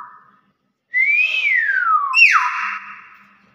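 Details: A fairly old captive Nias hill myna, being taught to say "Assalamualaikum" and distracted by birds flying past, gives a loud, clear whistle that rises and then slides down, followed by a second harsher, falling note.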